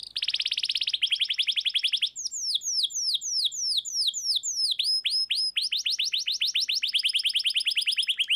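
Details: Domestic canary in full song, used to prompt silent canaries into singing: fast trills of steeply falling whistled notes, a clear chattering run near two seconds, then quick repeated descending sweeps to the end.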